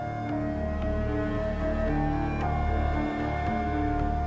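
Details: Dark, sustained orchestral music with low droning tones and steady held notes; no animal calls are heard.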